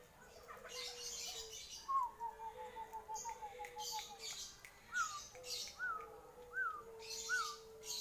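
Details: Bangkok-type zebra dove (perkutut bangkok) performing its manggung cooing, described as bekur ngayer dengkur, from Kertosono, Nganjuk: a steady low coo under a fast wavering note run, then short rising notes repeated about every second, with background clatter.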